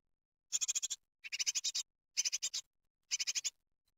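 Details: Great tit chicks begging in a nest at Ostwald, watched by webcam on 23 June 2020 while being fed a large larva that is hard to eat; four short bursts of rapid, high, scratchy notes, each about half a second, separated by silence.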